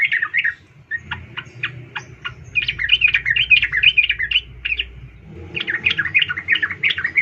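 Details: Female sooty-headed bulbul calling a male, played as a lure to stir males into song. Sharp, spaced clicking notes give way to a run of quick chattering phrases over steady low background hum.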